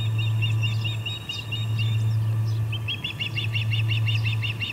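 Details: Three ospreys at the Charlo P2 nest, late afternoon of August 21, 2020, one flapping and another flying off; a quick series of thin, piercing chirps, a short pause, then an even faster regular chirping run, with constant low humming underneath.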